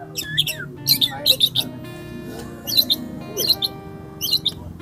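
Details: A White-rumped Shama competing at a national bird-song contest in Magelang in 2024 sings bright, high whistled phrases in short bursts about every half second to a second, over a steady bed of background music.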